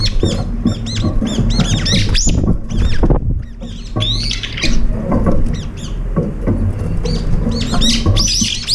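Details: Several brown-eared bulbuls share a meal and fight, pecking to eat alone. A busy tangle of harsh, arching squeals overlaps almost continuously, with a short lull near the middle and a steady low hum beneath.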